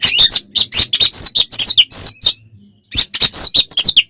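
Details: Oriental magpie-robin in full fighting song, used to provoke other birds into aggression: rapid bursts of loud, high whistles and sharp chattering notes, a brief pause near two and a half seconds, then more fast varied phrases.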